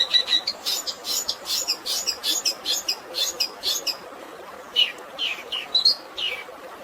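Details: Long-tailed shrike training recording with fighting-sparrow style filler and natural water sounds, meant for stressed birds: rapid bursts of sharp, high chirps in quick series, then a pause and scattered rising notes over a steady hiss of water.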